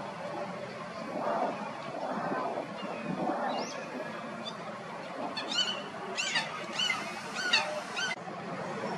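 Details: Common Gallinule filmed in Florida, giving a run of short, sharp, harmonic-rich call notes that bend in pitch, clustered in the second half, after softer lower murmuring sounds over steady background noise.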